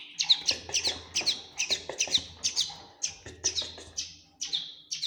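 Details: Young common linnet, a fledgling, chirping rapidly: sharp high notes about twice a second, some doubled, forming an insistent uneven twitter over a soft steady hum.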